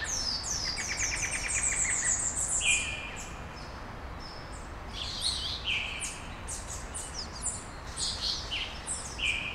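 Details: Small birds singing at dawn in Brasília, Brazil: several overlapping voices, with rapid high trills and chirp series near the start, then sharp whistled notes and short high chirps scattered throughout over steady background hiss.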